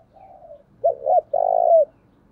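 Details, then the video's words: Spotted dove used as a decoy to stir wild doves, giọng thổ style: a soft low coo, two quick rounded notes, then one long, loud, vibrating coo that ends with a slight downward slide. "tiếng cu gáy mồi chuẩn thúc vầy bổi nghe ức chế gáy liền"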